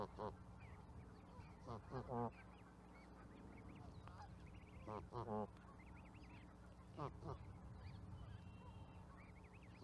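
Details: Canada goose honks arriving in clusters of two or three, separated by gaps of several seconds, with other birds chirping and a low background hum.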